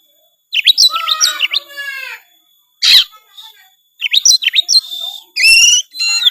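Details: Oriental magpie-robin, kacer, in gacor full-isian song: long runs of fast chirping whistles and harsh rasping notes, a loud click-like burst, then another rapid varied phrase ending in a buzzy trill.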